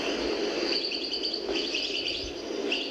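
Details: European goldfinch song from an old cassette recording, perhaps from the 1970s, from the El Biar region of Algiers: quick, high, tinkling twitters and short trills in a loose, running phrase over a steady hiss, with a low murmur beneath.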